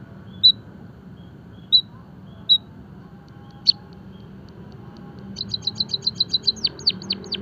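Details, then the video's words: Java sparrow, used in finch song training: three spaced single chirps and a click, followed by a rapid burst of high ticking notes ending in falling sweeps; a quiet low background murmur throughout. "emprit kaji gacor - masteran dan pancingan burung pipit jawa peking bondol haji biar gacor"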